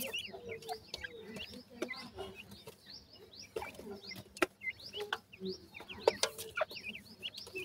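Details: Captive white francolin chicks while feeding: a dense chorus of short, high upward-flicking peeps, overlapping and repeated many times a second, with soft low clucks and scattered clicks and knocks underneath.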